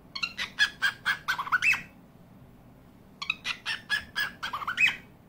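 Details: Cockatiel (Nymphicus hollandicus) call: two bursts of rapid, harsh, chirping notes, each run ending in a sharp upturned squeak.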